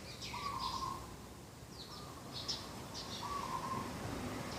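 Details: Morning at a garden edge on 2 October 2021, a dove gives three trilled coos about 1.5 seconds apart, while other birds chirp in high, quick notes in the background.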